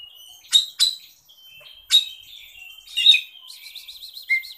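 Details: Oriental magpie-robin used as a lure or master song for other birds, giving separate sharp high chirps about once a second, thin whistles between, then a rapid warbling wavering trill and a short falling note.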